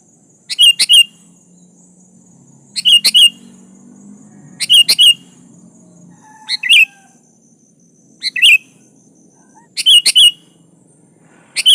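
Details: Sooty-headed bulbul singing hard to call a rival: about six short bubbly phrases of quick slurred whistles, repeated every couple of seconds, with a faint low hum behind.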